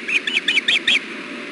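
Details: Osprey at the Hellgate nest on 6.4.16 around 4:00 pm, during a fish delivery between male and female. Five quick, shrill double-toned chirps in under a second.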